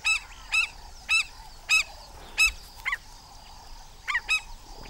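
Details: African skimmers (Rynchops flavirostris) give alarm calls, harsh nasal yelping notes about every half second with more distant calls behind, while protecting chicks only a few days old, the season's first, from a monitor lizard.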